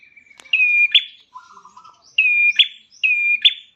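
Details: Prinia (prenjak klawu) calling as a lure to make caged birds sing: three high level whistles each closing in a sharp buzzy burst, with a lower rattling chatter in between.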